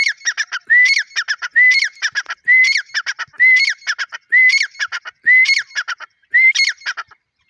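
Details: Dakhni or Irani teetar, a grey francolin, calling strongly and rhythmically: seven loud phrases in under eight seconds. Each phrase mixes a rising whistle with a burst of choppy, grating notes. No other sounds intrude.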